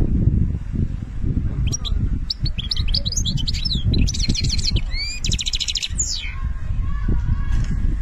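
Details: Algerian European goldfinch in full song: a rapid, dense twitter of high liquid notes mixed with buzzy, rattling trills and quick rising slurs, delivered almost without pause over a constant low rumbling background.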